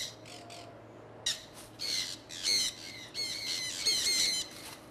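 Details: Flock of pet conures out flying in Iowa, early spring 2003, giving a run of loud grating squawks, several overlapping and rising in intensity toward the end, with a faint background hum.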